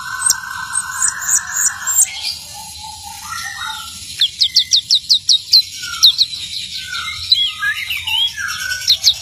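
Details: Orange-headed thrush song beginning with a warbled trill, then a fast series of about ten sharp, evenly spaced high chips, followed by scattered slurred whistles.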